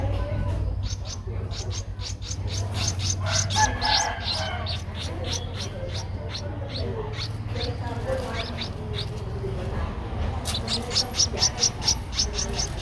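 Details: Twelve-day-old streak-eared bulbul chick in Ubon Ratchathani, Thailand, 14 April 2023, calling in long runs of quick high chirps, several per second, pausing midway before a fresh fast series; low hum beneath.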